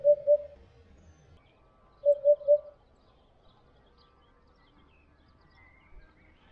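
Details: Eurasian hoopoe (Upupa epops) flying to its nest to feed its chicks, giving soft, low, hollow hoots: a quick pair, then three evenly spaced notes two seconds later, over a faint background hum.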